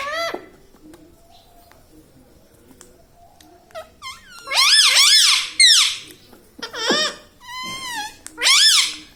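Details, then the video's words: Pet rose-ringed parakeet kept indoors, a talking bird. Quiet start, then loud squeaky, harmonic-rich chirps and warbled phrases in short bursts, some rising and falling, in a small room. "parrot talking mithu"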